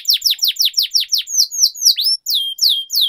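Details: Canary singing-training song with a run of sharply falling sweeps repeated about five times a second, shifting into drawn-out whistled notes that dip and then flatten out.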